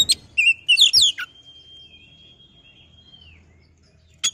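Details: Oriental magpie-robin in a recording meant to provoke birds into song: a quick cluster of sharp, rising and falling whistles, followed by a long thin steady whistle that fades, and one final note.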